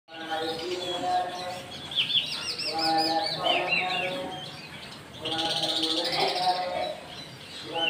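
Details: Singing bird giving bright, high chirps and quick warbled bursts in two main spells, over a steady lower humming background of voice or music.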